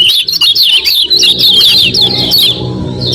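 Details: Common iora call used as a lure to draw a quick response from other ioras: dense, rapid, high chirps and squeaky notes, overlapping and continuous, with a faint low rumble underneath.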